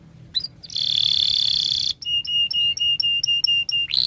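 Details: Canary singing at length in lively, energetic style, used as a lure to help young canaries learn to sing: a high buzzy sustained trill lasting over a second, a brief break, then a rapid run of sharp repeated chirps, about five per second.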